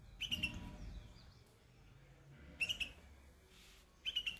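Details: Perched on white flowers, a young bulbul gives three brief, clear chirpy phrases of two or three rapid notes, spaced about two seconds apart, with soft low rumble between them.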